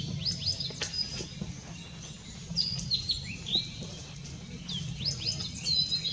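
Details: Blue-and-white flycatcher singing, 6 May 2016: bursts of high, clear whistled notes with sharp upward and downward slides, separated by short pauses. Low background noise is present throughout.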